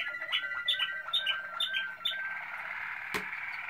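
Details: A Malinois Waterslager canary recorded in 2016 gives gurgling, liquid note groups repeated in a steady rhythm, then runs into a smooth, continuous bubbling roll, cut by one sharp click.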